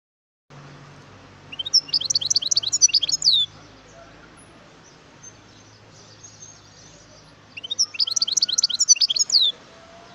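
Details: A wild European goldfinch recorded in 2018 gives two separate bursts of bright, tinkling twitter, each under two seconds, over a steady low hum and faint background noise.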